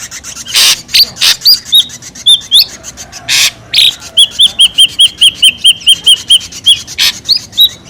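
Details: Ashy drongo lure call, noisy: loud harsh bursts alternate with twangy swooping notes and a long steady run of ringing whistled notes, repeated in quick succession.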